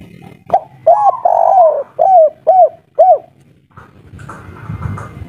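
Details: Spotted dove of local wild stock in the three-note 'kuk 3' style, agitated and noisy: a run of five deep, arched coos, the middle one long and drawn out, ending in a rustling, muffled noise.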